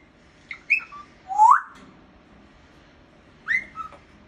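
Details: Pet cockatiel whistling a short tune of clear, sliding notes, with a long rising whistle at its centre.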